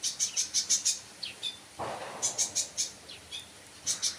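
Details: Sunbird uttering quick runs of high, thin chirps in clusters of four or five, separated by short pauses, with a brief rustling noise in the middle.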